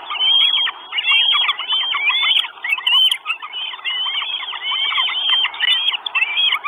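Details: Live-camera recording from an Estonian Northern goshawk nest, 1 June 2022: four chicks wishing for food give loud, overlapping squealing whistles, arched and sliding, in near-constant bursts.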